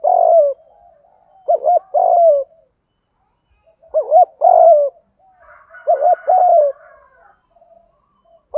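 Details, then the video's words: Decoy spotted dove in 'gù thúc' voice for luring doves: grouped coos, each group a short stuttered double note then a drawn-out falling coo, with faint background hiss. "chim cu gay moi thuc gu cu datgay giong hay, cu gáy giọng đồng gù thúc, cu cườm gáy giọng hay"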